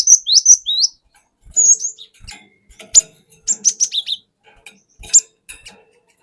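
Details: Cinereous tit, a wild-caught forest bird, singing a lure song meant to draw others into full song: sharp whistled notes swooping down and up, paired in quick bursts, then scattered high chirps and soft clicks between phrases.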